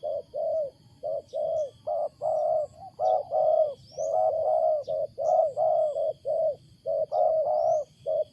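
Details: Loud, unusual cooing of a wild spotted dove: dense runs of mellow, slightly rough coos, some notes overlapping as if several doves call together, with faint thin whistles above.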